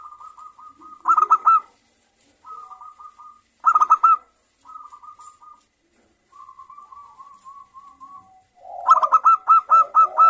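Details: Zebra dove of local stock, a frequent singer with a crystal-clear voice, used to provoke song in other doves. Short soft trills alternate with loud clusters of hooked, ringing coos, each separated by brief pauses.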